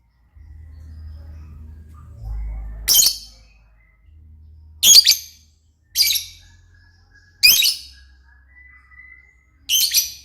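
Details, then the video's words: Gacor lovebird with five sharp, high, rasping screeches spaced one to two seconds apart over low room hum, plus a faint thin whistled tone near the end. "burung Lovebird paling keren dan gacor"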